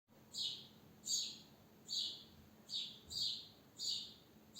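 A sparrow gives short, bright chirps, each a quick high double note, repeated about every three-quarters of a second over a faint background hiss.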